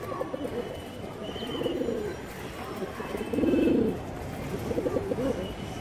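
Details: Bagha Banja breed domestic pigeons in a loft give low, rolling coos in repeated bursts.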